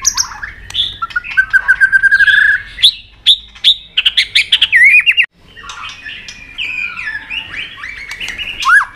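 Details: Provoked White-rumped shama, tail flicking on its perch, in fighting song: a long steady whistled note with rapid ticks, then loud clicks and rising whistles, a pause, and a varied buzzy warble ending in a whistle.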